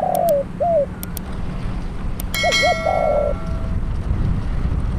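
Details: Decoy spotted dove for trapping, cooing short rising notes and a drawn-out buzzy coo, mixed with sharp clicks, a brief high whine and steady low engine-like drone.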